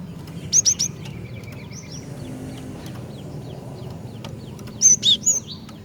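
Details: Javan sparrow female calling to males: a run of three sharp, high notes at the start, soft descending chirps in between, then a louder burst of ringing high notes near the end over a low hum.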